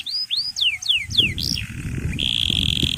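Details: Canary song: a few curved whistled notes rising then falling, a short jumble, then a long steady high-pitched tone, with some low background noise.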